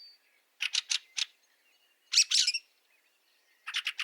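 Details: Fieldfare in snow at Liepāja, Latvia, in March 2023, giving harsh, chattering calls in quick bursts of three to four notes, repeated with short pauses; otherwise quiet.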